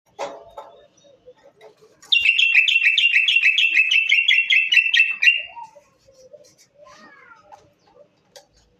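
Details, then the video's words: A Moroccan common bulbul gives a loud, bright run of about a dozen rapid, repeated chirping notes over three seconds, with softer, lower slurred notes before and after. "طائر البلبل المغربي"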